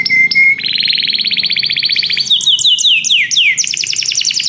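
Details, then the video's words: Belgian canary in song: two steady whistled notes, a long rapid rolling trill, then a run of quick dropping whistles and a final high fast trill. "canário belga cantando"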